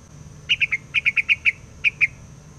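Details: Laughingthrush used as a lure bird for trapping, singing loudly and nonstop in the forest: a quick string of ten short, clear, evenly pitched notes in two bursts, over a faint steady high whine.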